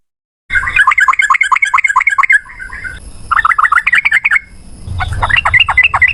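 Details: Yellow-vented bulbul, male, singing long 'ropel panjang' fighting song meant to provoke other bulbuls into song: dense rattling runs of sharp chirped notes in three bursts separated by brief pauses, low rumble beneath.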